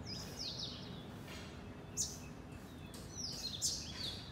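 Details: House sparrows in a garden flock. A few sharp chirps and short sliding notes come in loose bursts against a quiet, steady background.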